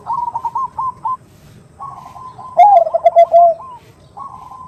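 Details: Female zebra dove (perkutut) calling to a male with the favoured 'nutut' voice, used as a lure: soft stuttering trilled phrases, then a louder, lower rolling coo with a sharp start, followed by more quiet trills.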